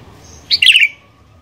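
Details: Sooty-headed bulbul in persistent 'gacor' singing form, used as a lure to set other bulbuls singing: one short, bright, bubbly phrase of quick liquid notes over a quiet background.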